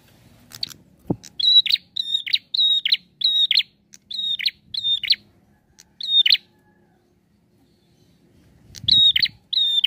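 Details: Prinia singing a fast run of about nine bright, level whistled notes, each ending in a buzzy burst, then a pause and two more; a single knock is heard early.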